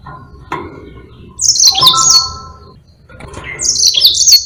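Yellow-fronted canary singing: bright, high, rapid twittering phrases with quick down-slurred notes, delivered in two bursts separated by a short pause.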